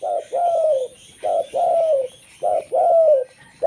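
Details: Local zebra dove song, used to lure other zebra doves: loud, mellow coos, each a short note then a longer slurred one that falls away, repeated about every 1.2 seconds. A faint steady high hiss runs beneath.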